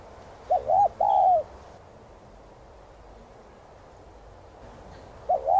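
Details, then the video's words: Spotted dove coo, hạp bổi voice, played to encourage caged birds: a double note and long mellow coo, a long quiet gap, then the next phrase beginning. "Chim Cu Gáy Thúc, Gù 2 Kích Bổi Nhanh Nổi.Tiếng Cu Gáy Giọng Hạp BổI.Cu Đất Gáy, Cu cườm"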